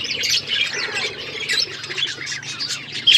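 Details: A group of colourful budgies keep up a steady, harsh chatter of scratchy squawks and high chirps that overlap without a break.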